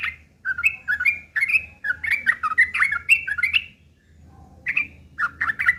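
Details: ['Lure recording of a Yellow-vented bulbul in rough fighting song to get other birds calling back: lively run of chirpy, scratchy notes for over three seconds, a short silence, then renewed louder chattering.']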